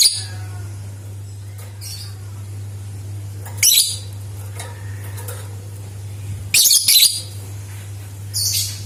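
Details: Used to coax other lovebirds into singing, this lovebird gives scattered shrill, harsh chirping bursts, a fainter one first, then louder rapid bursts later, with a steady low electrical hum throughout.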